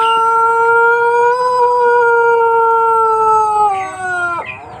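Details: Male Pelung chicken, an Indonesian ornamental breed from Cianjur, West Java, kept for its long, melodic crow: one sustained, harmonic-rich tone held steady for about four seconds, rising slightly, then sagging and breaking off at the end.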